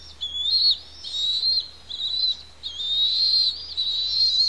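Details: Pair of Bald Eagle eaglets begging while being fed on their Santa Cruz Island nest at Pelican Harbor; high, thin, wavering whistles in quick uneven succession, some notes sliding upward.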